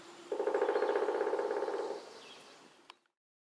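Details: Pileated woodpecker (Dryocopus pileatus) during mating behaviour gives a loud, rapid, even run of ringing notes that fades after about two seconds, followed by a single sharp click.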